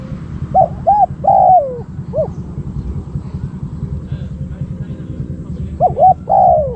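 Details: Spotted dove used as a decoy for wild doves. One coo phrase with a long falling note, a quiet gap of about four seconds, then another phrase beginning, over low background murmur.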